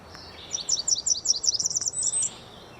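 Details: A Blackburnian Warbler sings from treetops, on breeding territory or in migration, to attract females and ward off other males: a quick series of very high, thin, sibilant two-part notes climbing to a buzzy upslurred ending, over faint hiss.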